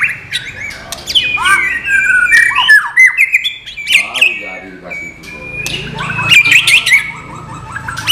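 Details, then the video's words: White-rumped shama song in the non-bubbling training-material style: tumbling, sliding whistles, a brief quiet gap, then a long steady whistle and a burst of bright chirps. "MATERI BURUNG MURAI BATU NON GELEMBUNG"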